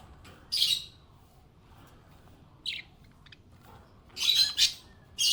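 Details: Budgie said to be happy, uttering a few sharp, high chirps: one early, a short one midway, then a longer scratchy double chirp near the end.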